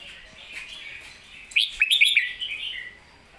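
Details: A red-whiskered bulbul gives one crisp 'master song' phrase, pleng mae bot, over a soft continuous warbling: a quick cluster of sharp rising whistles in the middle, trailing into a lower slur.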